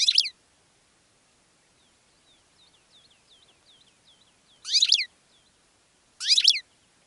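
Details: Goldfinch song: three short, dense bursts of high twittering notes at the start, near five seconds and near six seconds, with faint, thin, slurred chirps in the quiet stretch between them.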